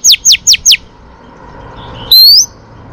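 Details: Female Oriental magpie-robin singing to stimulate males, for training: four quick, steeply falling whistled notes, a short gap, then one loud clear upward-sliding whistle.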